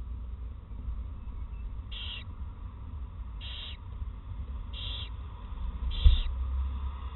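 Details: An owl, the first owlet of 2018 at Eersel, and its mother, who is feeding it soft parts of a mouse, give four short, harsh, hissy bursts, one every second or so. This is their typical sound, heard over a steady low rumble.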